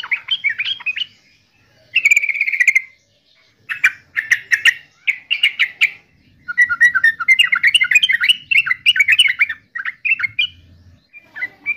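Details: Yellow-vented bulbul, known in Java as trucukan, delivering lively phrases of warbled, bubbly notes and sharp chirps in uneven bursts separated by brief silences.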